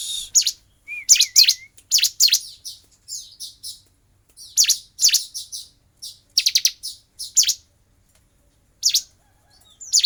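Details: Bar-winged prinia singing while fighting, a long series of rapid, sharp, high chip bursts repeated in uneven groups, plus one brief wavering whistle near the start.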